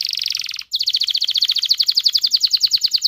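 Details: Canary song used to stimulate breeding in both sexes: a rapid metallic trill, a tiny break, then a steady rolling series of quick chirps at about eight per second.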